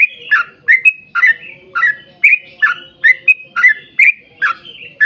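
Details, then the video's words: Rapid, sustained song of a yellow-vented bulbul, meant to draw other bulbuls into singing, with bouncy chirps and brief whistled notes repeated roughly three times a second in a rolling rhythm. "trucukan gacor ROPEL PANJANG buat pancingan trucukan agar bunyi"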